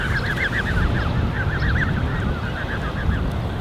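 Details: Goslings of Canada goose, a creche of more than 30 young with two adults, June 2015: a dense chorus of high, thin, arched peeps repeated rapidly, over steady low wind and water rumble.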